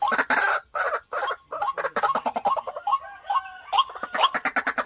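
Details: Decoy white-breasted waterhen in a cage opens with long raucous bursts, then switches to quick, choppy, repeated croaking notes that speed up toward the end.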